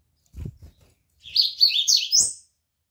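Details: Seedeater (coleiro) song from a bird breeder's collection: one bright, fast phrase of jumbled chirps and twitters lasting about a second, ending on a higher rising note, after a few low knocking thumps.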